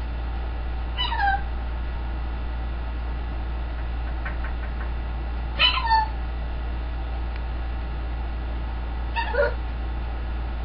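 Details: A male pet green-winged macaw that sings, talks, wolf-whistles and clucks like a chicken gives three short, harsh, falling vocal bursts about four seconds apart, with a steady low hum underneath.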